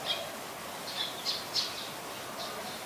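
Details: Olive-backed (yellow-bellied) sunbird (Cinnyris jugularis) at a home garden, 25 February 2022, about 4:45 PM, gives a handful of short, high, thin chips and squeaky notes, spaced irregularly over a few seconds against a soft hiss.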